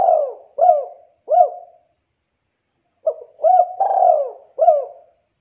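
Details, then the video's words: Cooing of a young spotted dove, played to draw replies from other doves: two phrases of soft, low coos, each with short notes and one longer, slurred coo, separated by a brief silence. "SUARA TEKUKUR GACOR LANGSUNG bikin NYAUT Bunyi Tekukur Muda"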